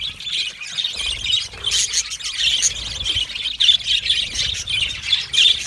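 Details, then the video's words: Budgerigars singing and chirping: a dense, continuous high chatter of scratchy warbles and short squeaky notes, rising and falling in loudness throughout, with a faint low rumble beneath. "Budgie singing and chirping sounds | Australian Budgie sounds"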